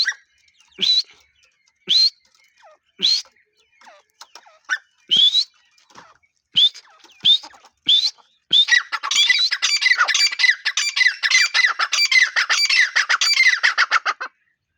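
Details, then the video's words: Irani teetar, a grey francolin, gives sharp rising shrill notes spaced about a second apart, a few softer clicks between them, then a long rapid chatter of dense harsh calls that stops abruptly near the end. "irani teetar awaz | teetar ki awaz"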